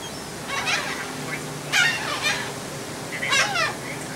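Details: Seagulls fed on a ferry deck on the crossing from Texel island, Netherlands, 28 March 2014: three separate harsh, descending squawks spaced about a second apart over a low engine hum.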